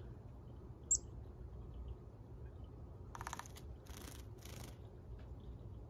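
A chickadee gives a thin high note, then three harsh, buzzy 'dee' notes about half a second apart, over a steady low rumble.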